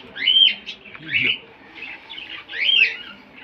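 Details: Mithu, a talking green parrot (rose-ringed parakeet), utters short raspy rising squawk-like syllables in two bursts separated by softer chatter.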